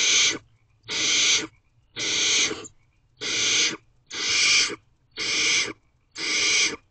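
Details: At a nest box, 1:27 am on 2/7/23, a female barn owl feeds her young while rough hissing screeches repeat regularly, seven in a row, each about half a second long with short silences between.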